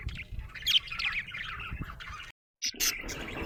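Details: Happy budgie's chirping chatter: scratchy warbled notes and short chirps, broken by a brief silent gap before a final burst.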